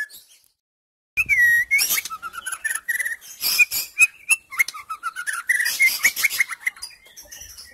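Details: Female white-rumped shama in captivity, used to prompt silent males into singing; after a brief pause a loud, varied run of clear whistled notes, stepping phrases and sharp chips pours out continuously for several seconds.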